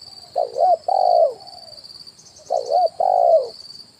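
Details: Two phrases of a spotted dove decoy call, 'kuk 1' type, used to lure wild birds to branch and ground: a rippling double note, then a long, smooth coo that slides downward. A faint steady high ringing continues in the background.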